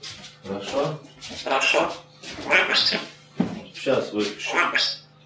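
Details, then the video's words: Talking African grey parrot from Russia, entered in Poland's 3rd Talking Birds Championship, speaking a monologue: loud, rapid humanlike syllables in five phrases, some with bright hissy consonants, with a faint continuous hum beneath. "Gadająca papuga"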